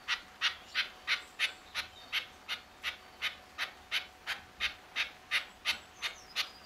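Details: Red-legged partridge walking in front of a hide at RSPB The Lodge reserve, Sandy, UK, early on a wet March 2012 morning with rain starting: harsh, breathy chuffing notes repeated steadily about three per second throughout.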